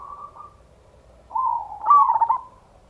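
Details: Local Indonesian zebra dove, recording used as a lure to provoke other doves into calling: a soft purring coo followed by a louder, rich, wavering cooing phrase.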